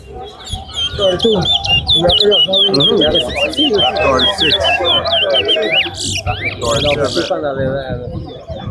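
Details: Caged towa towa singing at a bird-singing competition at Lusignan bird ground: fast, dense, varied warbled phrases of high, sharply inflected whistles, with people talking and music in the background.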